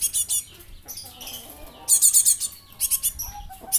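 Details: Young Java sparrow used to lure other birds, giving dense, rapid strings of high, scratchy chirps in bursts, with scattered softer twitters between them.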